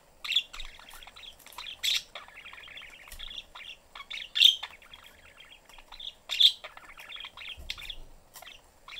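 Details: Family of pet budgerigars in a cage, young one wanting attention: continuous warbling chatter of fast rattling notes, punctuated by sharp, loud chirps roughly every two seconds.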